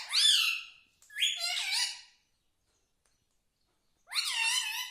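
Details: Pet talking parrot, locally tota, voicing squeaky, speech-like syllables: a high falling note, a warbled two-part phrase, a long pause, then one more wavering nasal utterance.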